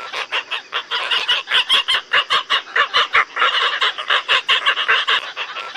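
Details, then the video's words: Asian openbills give a dense run of hoarse, honking croaks, several every second and overlapping as if from many birds at once. "Asian openbill"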